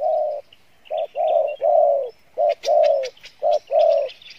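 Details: Spotted dove cooing in the 'Pha Bài Lối' manner, praised for its voice: deep, even coos alternating brief and long notes, nearly once per second. Sharp high chirps and ticking from other small birds overlap the second half.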